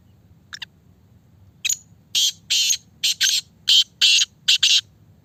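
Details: Black francolin, a fast-calling 'speeder' Sindhi kala teetar, gives harsh, grating bursts: a faint pair of notes, then about seven loud rasping notes grouped in twos and threes, against a quiet low hum.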